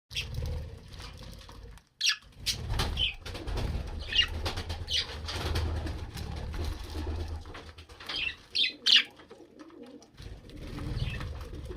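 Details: Budgerigars at feeding time give short, bright chirps and squeaks in scattered bursts over a low indoor rumble and wing flutters.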